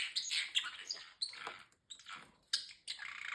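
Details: Talking pet parrotlet, male, known for phrases like peekaboo and excuse me and a fake cough, makes quick scratchy high chirps and squawks in short bursts with brief gaps, recorded indoors.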